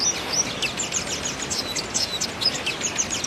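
A hummingbird sings a rapid stream of thin, very high squeaky notes and tinny chips, over a steady background hiss.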